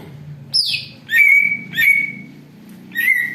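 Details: Greater green leafbird, a lure song copying an eagle's voice: a falling high whistle followed by drawn-out level whistles and a final upslurred note, with a constant low background drone.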